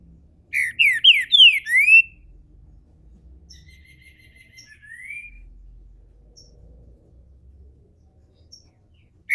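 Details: Captive green-winged saltator at a registered Brazilian breeder, opening into its main song: a quick burst of five loud downslurred whistles, then quieter thin whistles and a rising slur, with long gaps of near silence.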